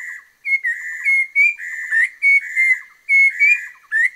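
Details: Orange-breasted laughingthrush from the Langbian Plateau of southern Vietnam gives loud, clear whistled phrases of two or three notes. The phrases alternate between level and slightly rising pitch and repeat closely, with soft clicks in the gaps.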